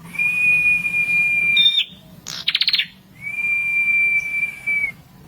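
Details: A red-headed prinia sings to rouse rivals. A sustained high whistle holds steady for nearly two seconds, then a fast stuttering buzzy trill, then a second long flat whistle.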